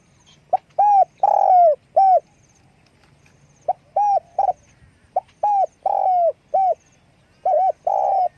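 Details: Spotted dove giving its call with wing flapping: mellow, low-pitched coo phrases repeated about every one and a half to two seconds, each a short pickup, brief coos and one longer rolling, slightly falling coo, against a faint low hum.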